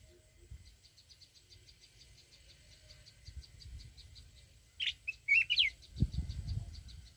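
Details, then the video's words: Mountain red-whiskered bulbul singing in the wild 'forest voice' style used to excite a decoy bird: a fast, regular insect pulsing first, then one short burst of sharp, swooping whistles, followed by low rumbling noise. "chào mào núi@ hót giọng rừng kích bổi"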